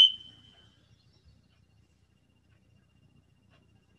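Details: A Varied Thrush, one of several recorded in a park in early March that were vocalizing loudly before heading north, gives one long, steady, high whistled call like a referee's whistle that fades within a second.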